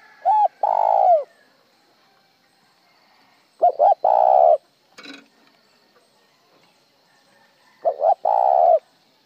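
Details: Spotted dove cooing: three phrases about every four seconds, each a short double note followed by a longer low, hoarse coo, with a brief faint rustle between the second and third phrases.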